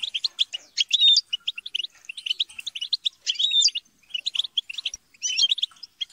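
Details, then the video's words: Squabbling European goldfinches trade bursts of rapid, high twittering and buzzy trills, with brief pauses and a few distinct upward-sliding whistles. "بتبتة وتستسة وشجار الحسون"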